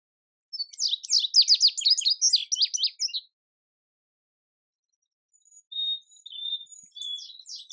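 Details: Indigo bunting song: a rapid run of sharp, clear, high-pitched notes lasting about two and a half seconds, followed after a pause by thin whistled notes starting a further phrase.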